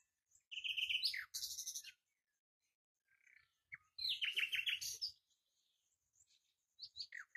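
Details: Common nightingale singing short, varied phrases: a fast buzzy trill, then rapid harsh rattling bursts, a pause with soft notes, and a loud run of rapidly repeated metallic notes, ending with brief sharp chirps.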